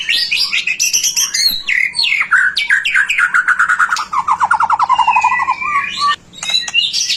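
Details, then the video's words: White-rumped shama in full song, a lure recording to get other shamas singing: varied whistled phrases, sweeping notes and fast descending trills, then a long rapid trill dropping in pitch, ending in bright chirps. "Suara murai batu gacor AMPUH buat PANCINGAN murai batu agar BUNYI"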